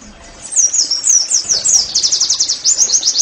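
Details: Oriental white-eye singing 'nembak' style, played to get other white-eyes singing. After a quiet start come high, bright swooping notes that speed into a quick, shrill pulsing run.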